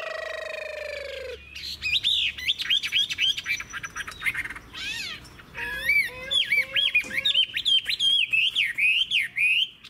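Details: Wild-caught adult Chinese hwamei, a long-bodied bird with a fig-leaf-shaped tail, kept caged and singing: after a low droning opening, loud clear whistled phrases with rapid up-and-down slurs repeat in quick bursts until the end.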